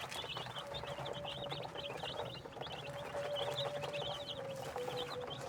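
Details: Desi chicks raised on a rooftop farm at home in Pakistan; a dense chorus of many short, high, downslurred peeps, overlapping continuously, with a steady humming tone and low background rumble.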